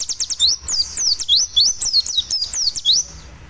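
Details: White-eye (pleci) giving a rapid, high, thin "roll tembak" lure song of sweeping, slurred notes, about three or four a second, with a faint low hum beneath; meant to be played while the bird is aired after sunning.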